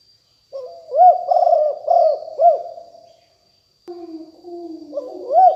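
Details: Fierce-strain spotted dove used as a lure sound: a phrase of soft, rolling coos with arched notes, then a lower, steadier second coo overlapping as the next phrase begins; clean background.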